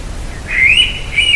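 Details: Indian Pitta, a summer migrant to central India, calling loudly on arrival to mark its breeding territory, the bird very close. A clear whistled note rising slightly and holding, followed by a second level whistled note.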